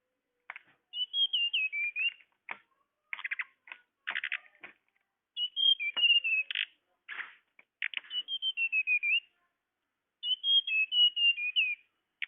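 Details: Calls of the tledekan bird used to lure birds: repeated high whistled phrases falling in pitch, alternating with many harsh, broadband chattering bursts over twelve seconds.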